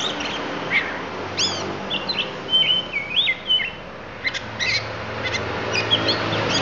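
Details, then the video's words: Indonesian Lampung oriental magpie-robin singing isian: bright whistled slurs, a warbled sliding phrase in the middle, then clusters of rapid sharp notes, over a continuous low droning background. "Kacer Lampung Keluarkan Isian"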